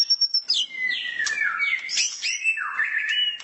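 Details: Caged white-rumped shama singing in morning sun, a tutor recording: a high thin whistle followed by swooping, slurred whistles falling and rising, with a few clicks.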